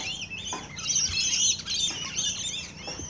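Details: Close-up of feeding rainbow lorikeets: dense, harsh, high-pitched squealing and chattering with no break, rising and falling bursts packed tightly together.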